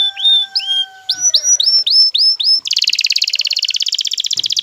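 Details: Excited male canary courting a female to bring her into mating posture; several upslurred whistled notes give way to a long, fast, rolling high trill.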